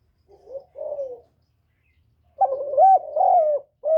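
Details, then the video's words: Captive decoy spotted dove calling gáy gọi, thúc and gù to stimulate other doves: two soft low coos, a gap, then a long loud run of hoarse wavering coos and a final clipped note. "Tiếng chim cu mồi GÁY GỌI + THÚC + GÙ kết hợp kích bổi, Cu gáy mồi cây gáy, cu đất gáy, cu cườm gáy"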